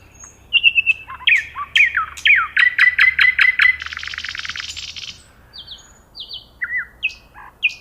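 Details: Nightingale singing: a varied phrase of sharp descending whistles, then a rapid run of repeated clear notes speeding into a dense buzzy rattle, followed by thin high piping notes and short whistles after a pause.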